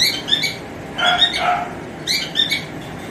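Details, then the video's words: A male cockatiel calls a female with whistled song: clipped rising notes, a louder, rougher burst in the middle, then more quick whistles, all over a steady hissing background. "Cocktail Birds male singing || Cocktail male colling female"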